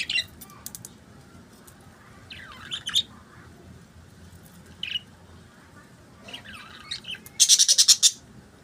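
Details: Budgerigars singing: scattered chirps and soft warbles, ending with a loud fast run of high, sharp chirps.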